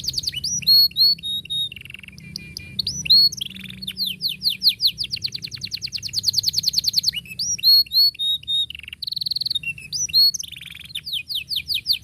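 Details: Canary in full, dense song meant as a tutor for young canaries: rapid repeated notes, swooping whistles and long buzzy rolls alternating without pause for twelve seconds.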